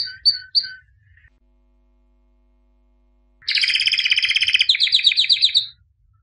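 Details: Albino white canary, a 2017 champion, gives three short chirps, pauses in silence for about two seconds, then sings a dense buzzy trill lasting about two seconds.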